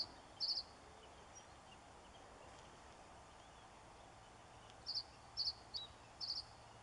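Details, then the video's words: A male reed bunting singing at Forfar Loch, with no replies, gives short, high, chinking notes: one brief burst early, then a quick run of three or four near the end, over steady hiss. "Reed Bunting male singing"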